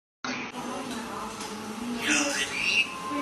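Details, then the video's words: A parrot in a small room recites Surah al-Ikhlas in a continuous, speech-like stream with strong high, nasal harmonics and a bright squeaky stretch near the end. "طوطے نے سورت الاخلاص پڑھی"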